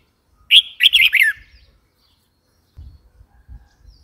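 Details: Red-whiskered bulbul delivering a single lively phrase of rapid, bouncing whistled notes lasting under a second, followed by faint low thumps and rumble.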